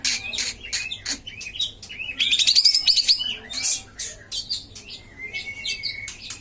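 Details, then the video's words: Common iora song in a training recording meant to coax reluctant birds into singing: dense high chirps and rapid trilled bursts, with a ringing whistled phrase and a sustained thin note near the end. "masteran dan pancingan kapas tembak yang males bunyi"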